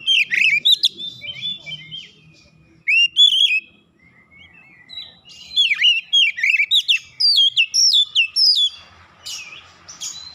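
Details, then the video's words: Provoked oriental magpie-robin (kacer) showing off its repertoire in aggressive challenge: loud twisting whistled phrases and rapid chattering notes in bursts, a quieter stretch, then fast repeated sweeping notes ending in a hissy buzz. "sekali pancing Kacer lawan langsung gertak naik emosi bongkar isian"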